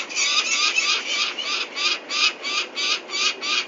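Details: During collection of the chicks for ringing at Venlo, Netherlands, 21 May 2024, a peregrine falcon gives loud, raspy notes in a regular run of about three per second, each a short harsh burst.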